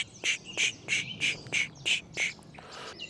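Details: Song thrush on a rainy hike through the Peak District, England, between Ashbourne and Glossop, repeats one clear, slightly harsh note about three times a second, seven times over, then falls quiet; a chiffchaff is also present.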